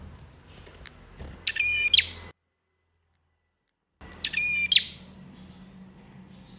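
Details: Male bar-winged prinia song used to provoke birds that have stopped singing: two short buzzy, nasal bursts with stacked harmonics and a sharp closing note, separated by a silent gap, over faint low hum.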